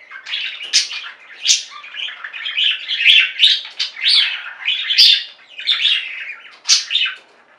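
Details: Domestic budgies singing as a flock, a lively stream of chirps, squeaks and rasping warbles, with sharper high notes standing out about every second.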